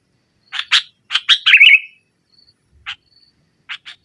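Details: Sooty-headed bulbul challenging a rival in 'nggaruda' style, a lure for a silent bird: a few loud chirps leading into a rolling trill, followed by sparse single chirps.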